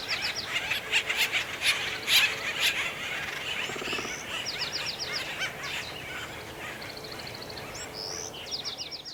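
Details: Acorn woodpeckers making a commotion between three trees at Effie Yeaw Nature Center in mating season, 2025: busy overlapping chatter and squawks, brief rattles, and bursts of quick repeated harsh notes, with quiet natural background.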